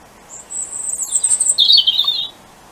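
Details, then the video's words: Wild European robin singing in darkness on the winter solstice morning, one of two birds near lit houses; a long high thin sustained note, then a dropping lower rapid twittering flourish, quiet background otherwise. "Robin Singing on the Solstice"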